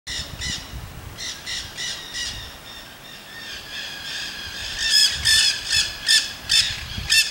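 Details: Wild Nanday parakeets in Solstice Canyon, Malibu, California, filmed 9 March 2017; harsh, raspy squawks come in bursts, with several birds calling at once and a louder run of grating screeches near the end, over a soft outdoor background.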